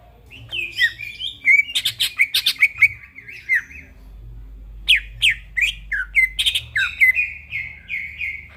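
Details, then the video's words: Greater green leafbird singing at night, a rapid medley of whistled slurs mixed with harsh squawky bursts, then a clear string of descending whistled notes repeated about twice a second. "burung cucak ijo bunyi tengah MALAM GACOR"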